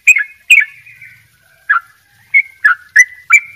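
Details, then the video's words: Bali sooty-headed bulbul singing in the ropel style: a few loud, slurred, chirpy notes separated by pauses, some trailing into a thin sustained tone, then a quicker burst of three or four notes at the end, over a quiet background. "trycuk bali dobel ropell gacor"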